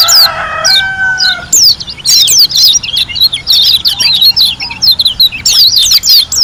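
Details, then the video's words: White-eye from Lombok in vigorous song of rapid high chatter and sharp slurred notes; another bird's lower sustained whistles open the passage. "KUMPULAN SUARA PLECI GACOR ASLI DARI LOMBOK‼️ SUPER NGALAS TEMBAKAN MEWAH"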